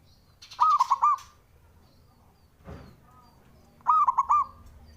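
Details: Male local zebra dove singing to rile rivals: two brisk bursts of bubbling, staccato coos about three seconds apart, with a brief rustle between them.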